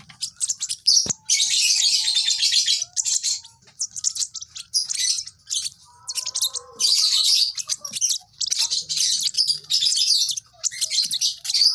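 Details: Baby lovebird chirping in bursts of dense, high, scratchy twittering, each lasting one to two seconds and separated by short pauses, with a faint low hum underneath.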